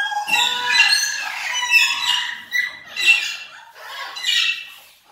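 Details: Blue-headed macaw (Ara couloni) calling with a run of grating, nasal squawks, roughly five rasping bursts in about five seconds, some with a tonal edge, no other clear sounds.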